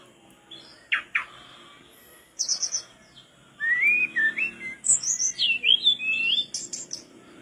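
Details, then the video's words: Mangrove blue flycatcher singing in separate bursts: two sharp downward notes, a high buzzy trill, then a long sequence of lilting, up-and-down whistled phrases with high chips. "tledekan bakau gacor teler bikin sikatanmu meleng2"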